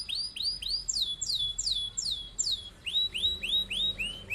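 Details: Canary singing loudly, a long-rolling master song for training other birds. Quick runs of sharp falling whistles repeat about four per second, then shift to lower rising-and-falling notes in a steady series.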